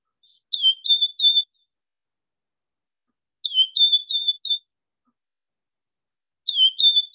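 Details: Wing-snapping Cisticola call: short bursts of four or five thin, high, clipped, inflected notes, each burst about a second long and repeated every three seconds; its full call includes wing snaps or clicks.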